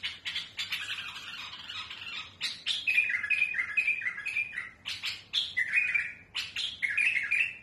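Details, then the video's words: Bulbul (mutawwa'a type) giving a smooth, fierce, harsh song: short harsh chattering phrases mixed with clear warbled notes, repeated every second or so in a steady stream, used for tutoring chicks. "بلبل المطوعة سلسة وصوت خشن رهيب"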